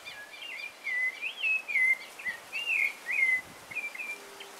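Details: Rufous-bellied thrush at sunrise in a garden sings a continuous melodic string of clear, sweet whistled notes that swoop up and down, over a soft hiss of background noise.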